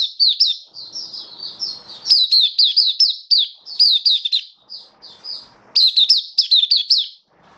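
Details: Oriental white-eye kept as a hobby cage bird, singing in open display style on 27 October 2022. Rapid series of sharp, high, downward-sweeping tweets in irregular bursts, with soft scratchy background noise in gaps.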